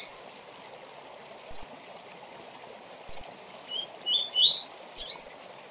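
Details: Double-collared seedeater, fast tui-tui tournament song for training juveniles: two isolated high chips, then a short accelerating run of three rising whistles and a final chip, faint against steady hiss.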